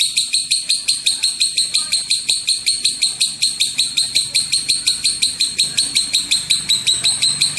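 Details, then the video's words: Extended lovebird 'ngekek' chatter serving as bait to prompt other lovebirds' calls: repeated harsh, squeaky high notes nearly three per second in a steady run, over a faint low hum. "Pancingan suara lovebird ngekek panjang"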